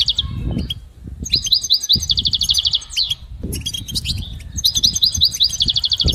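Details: Training song of a goldfinch: after a short silent gap, quick repeated chirpy notes build into rolling liquid trills that come in bursts, with soft low thuds behind.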